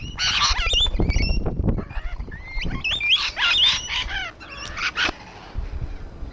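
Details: Rainbow lorikeets on a wall screech loudly, opening with rough, buzzy squawks, then slurred rising shrieks in quick succession, tapering into softer, broken chatter before one last sharp call.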